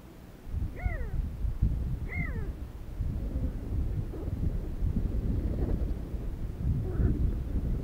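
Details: Desert sandgrouse, part of flocks arriving to drink water, filmed with a Sony HDR-CX405: two short, rising-then-falling ringing calls about a second apart, followed by faint distant calls over a steady low wind rumble.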